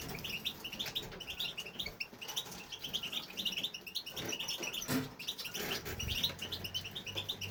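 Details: European goldfinch male in an aviary, singing without pause: a busy, unbroken stream of sharp tinkling chirps and liquid trills, steady throughout, with one loud clatter midway.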